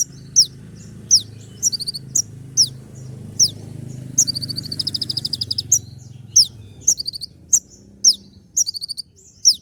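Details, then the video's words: Kolibri ninja sunbird delivering sharp 'tembak' song with fills, meant to make listening birds answer. Repeated high downslurred whistles and a long rattling trill of fast clipped notes over a steady low hum. "putar sekali koninmu pasti nyaut masteran suara tembak yang buat konin emosi"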